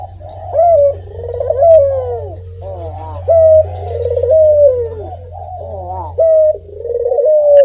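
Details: Barbary dove cooing steadily: rolling, throaty coos gliding downward, each phrase capped by a flat, loud sustained note, about twenty phrases a minute, over a low constant hum.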